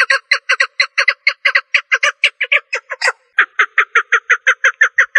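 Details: Female partridge giving hoarse, repeated clucking notes in quick succession, with a brief pause near the middle before the series resumes more evenly; nothing else audible.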